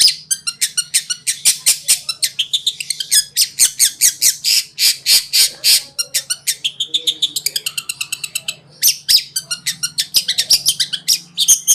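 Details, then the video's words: Long-tailed shrike master song for training other birds, a fast varied run of harsh chattering and buzzy notes with rapid repeated trills, a faint low hum underneath. "RAJANYA CENDET,GURU VOKAL ANDALAN,CENDET KONSLET TIADA TANDING"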